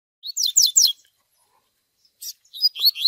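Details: Double-collared seedeater chick calls, paired with the Tui Tui Zel Zel song style and used to train a male: bright downslurred chirps in two quick bursts, a short pause, then more sweeping whistled notes.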